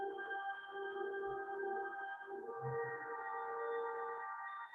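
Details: Steady electronic music with sustained, layered tones and low soft pulses near the middle, and no animal voice.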